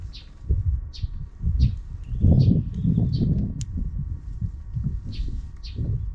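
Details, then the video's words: Sparrows calling off-camera in the afternoon: short, high chirps spaced roughly every half second to a second, over a steady low rumble. "Even in the afternoon, the sparrows are still making noise outside the camera frame."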